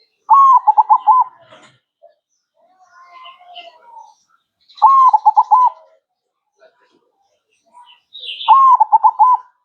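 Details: Perkutut, or zebra dove, in manggung song: three loud phrases of a long coo and quick rolling notes, spaced about four seconds apart, with soft murmuring coos between.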